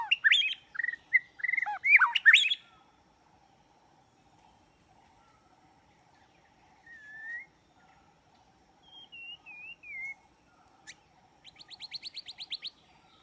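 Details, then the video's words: White-rumped shama, its song used for trapping: a loud burst of varied whistled slurs and sharp notes at the start, then quiet gaps broken by lone rising whistles, a wavering descending phrase and a fast high rattling trill. "Jebakan burung murai batu"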